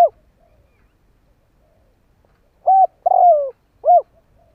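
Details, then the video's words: Spotted dove decoy bird cooing to attract others: a three-part low hooting phrase, a short coo, a longer falling coo and a final short coo, after a near-silent start. "Tiếng chim cu mồi gù gáy/ chim cu gáy kích bổi nhanh nổi"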